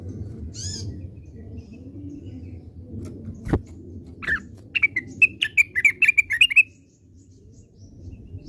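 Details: Classic song of an orange-spotted bulbul: after a quiet stretch with a few isolated clicks, a burst of quick whistled chirps speeds into a tight, even series of sharp notes, then stops abruptly, with low hum throughout.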